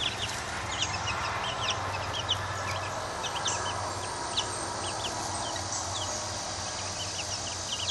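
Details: Two-week-old chicks, a large crowded group in their first minutes outdoors in a coop, giving many high, thin peeps in quick overlapping bursts over a steady background hiss.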